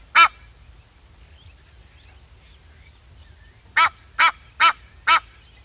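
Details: Egyptian goose calling: one harsh, nasal honk, a pause of over three seconds, then four evenly spaced loud honks about half a second apart, against quiet low background rumble.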